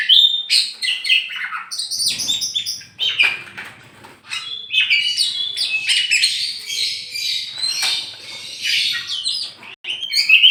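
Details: Tame champion oriental magpie-robin in Meulaboh, Aceh, freed before being hung up: a busy, jumbled stream of high chirps and whistled phrases broken by brief wingbeat flutters and clicks.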